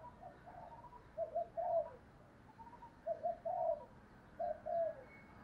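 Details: Spotted dove used as a decoy, in the 'thổ đồng' voice style, calling wild doves to its perch. Three soft, distant phrases of short hollow coos, repeated about every one and a half seconds, over a steady background hiss.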